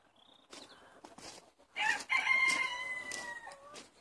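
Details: Crowing from one of 70 chickens let out for the day in Longford, Ireland, 25 February 2016: a harsh start swelling into a drawn-out, slightly falling tone, over background clucks, shuffling and a brief high chirp.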